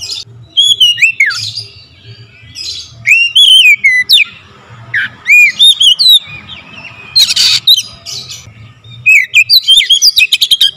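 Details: Oriental magpie-robin in vigorous, rapid-fire song full of varied fill-in phrases; downward-slurred whistles alternate with fast chirp clusters and a noisy rasping burst, phrases repeating roughly four times a second with brief gaps.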